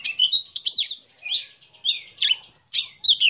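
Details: Oriental magpie-robin of the black-breasted form, a privately owned bird, giving clear, rich whistled notes and quick twisting phrases in short separate bursts about every half second.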